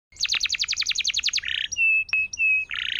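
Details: Singing canary on a tutor recording used to get silent canaries singing: a rapid rattling trill of about a dozen notes, buzzy rolls, then drawn-out pure whistles and another buzzy roll.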